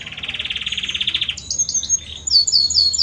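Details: Belgian canary male singing to the female: a long even rolling trill followed by a string of bright, high, slurred whistled notes.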